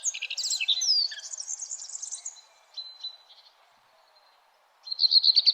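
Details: Early-morning birdsong at sunrise. A rapid, sweeping twitter opens loudly and fades. Soft scattered notes and a quiet pause follow, and a bright, fast high trill bursts in at the close.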